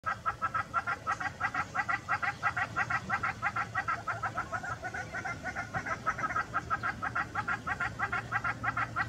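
A hornbill gives a long run of harsh, nasal cackling notes, about three a second, steady for nine seconds over a faint low hum.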